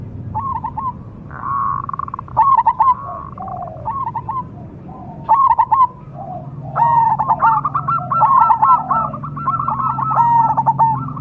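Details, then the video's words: Several short bursts of soft, stuttered cooing from a cemani zebra dove, building into a longer rolling trilled coo with overlapping voices near the end. "PERKUTUT CEMANI"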